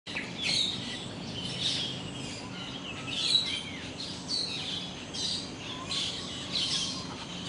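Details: A noisy flock of Asian glossy starlings, about half of them juveniles, gives a stream of sharp, high chirps and squeaks, several birds calling over one another, over a low steady hum.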